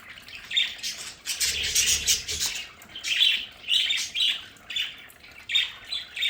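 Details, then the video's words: Budgerigars in a home play area chirping and squawking, a busy stretch of scratchy chatter followed by clearer, evenly spaced bright calls near the end. "Sonidos de budgies para Budgies en casa"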